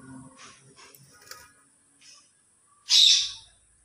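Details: Talking Indian ringneck parakeet kept as a pet: soft scattered chatter and faint clicks, then one sudden loud, harsh, rasping squawk near the end.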